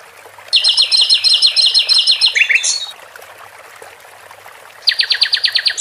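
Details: Sikatan londo flycatcher, caged: a two-second burst of fast, layered pulsed notes ending in a downward slur, silence, then another quick pulsed burst.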